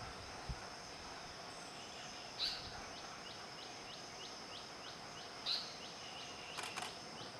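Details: An Asian paradise flycatcher (Terpsiphone paradisi) gives two short, harsh calls about three seconds apart, over a steady high insect whine and a quick run of ticking insect notes.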